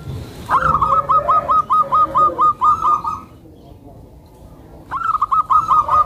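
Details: A soft-voiced tame zebra dove, used to lure other zebra doves and to help new birds settle. It gives a long, even run of about a dozen rapid, clipped cooing notes, pauses, then starts a second run.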